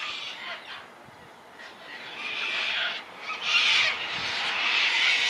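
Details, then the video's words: Sulphur-crested cockatoos sighted 040420 in Launceston, Tasmania, Australia, give harsh, grating screeches that overlap almost continuously and grow louder toward the end. "Sulphur crested cockatoos"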